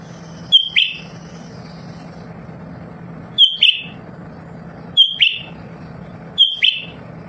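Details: Constantly singing lesser green leafbird, kept at home to get other birds singing quickly: four short bright whistled phrases, each a high note then a slurred chirp, repeated about every one and a half seconds over a continuous low hum.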